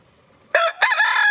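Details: Rooster struggling with the snow crows loud and close: a short rising opening note, a brief break, then a long, strong held tone, harsh and harmonically rich.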